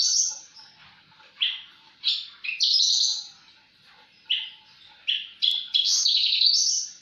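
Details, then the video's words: Energetic gacor song of a Javan bush lark, with quick sharp high notes and buzzy trills broken by brief pauses, then a sustained, rapidly modulated warble near the end. "Burung branjangan gacor"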